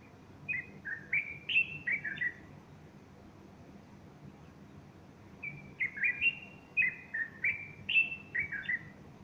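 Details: Bulbul singing on a Sunday morning, 30 August 2015, while a female stands close by fluffing her feathers; two phrases of rapid, warbled whistles, each about two seconds long and several seconds apart, with quiet hum between.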